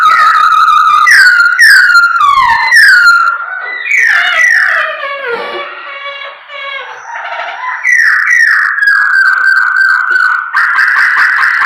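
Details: Singing Chinese hwamei, a lively bird whose song is played to provoke other kept birds; loud, rich run of slurred whistles, looping phrases tumbling downward, with varied bursts and sustained notes throughout.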